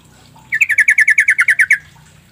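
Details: Sooty-headed Bulbul lure call played so that lazy or mute bulbuls reply at once: a steady run of about twelve quick, clear chattering notes lasting just over a second, with a low murmur of background noise before and after.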